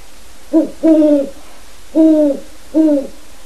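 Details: Two captive seven-month-old Great Horned Owl owlets in a breeding project giving their first adult-sounding hoots as a wild resident owl visits; low, harmonic hoots, one short note then three longer ones, about a second apart.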